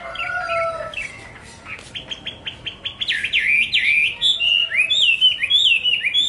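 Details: Song of the hwamei: opening whistles, then a fast run of sharp repeated notes about twice a second, breaking into rich looping, rising and falling whistled phrases.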